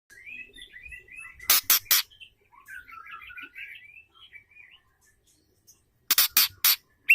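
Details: Female white-rumped shama, said to stimulate males into singing: soft varied chirps and warbled phrases around mid-high pitch, broken by two loud clusters of harsh, sharp clicking notes near the start-middle and again at the end.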